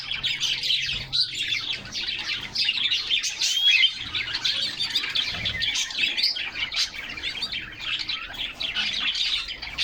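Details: Several canaries chirping and singing together inside their cage on a sunny summer day, captured by a camera mounted in the cage; a busy, unbroken chorus of high tweets and trills.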